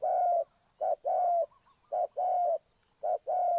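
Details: Low, soft cooing of a spotted dove used to lure birds into traps. Paired phrases of a short note and a longer sustained coo come at a steady rhythm, about one every second.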